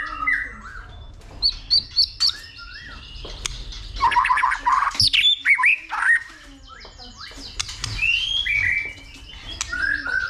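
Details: White-rumped shama fighting song, stimulated by a female: jumbled squawky phrases, harsh chatter and slurred whistles, with bursts of loud clicking notes.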